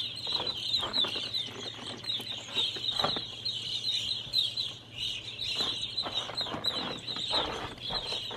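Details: A large flock of evening grosbeaks perched in maple trees in a yard keeps up a steady stream of high, overlapping chirps, with occasional soft fluttering bursts and a faint low hum underneath.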